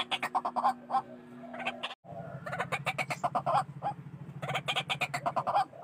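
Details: Noisy white-breasted waterhen calls used as a trapping lure: bursts of rough, clucking croaks in quick succession, a brief gap near two seconds, then a denser run over a low droning hum.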